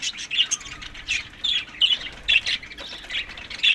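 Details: Budgerigars kept as parrots, fed summer food between May and June, give harsh, squawky chirps in short bursts about every half second, with brief quiet gaps between them.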